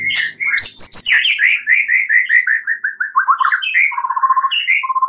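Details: White-rumped shama singing at night as a lure recording to make birds sing: high squeaky notes, then a steady descending string of short slurred whistles, ending in rapid low trilled notes repeated in quick bursts.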